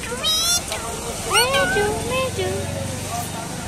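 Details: A pet common myna mimics human speech, saying "baba" (father) in a few short, hoarse, voice-like syllables, with a rising whistled phrase between them, over a low traffic hum.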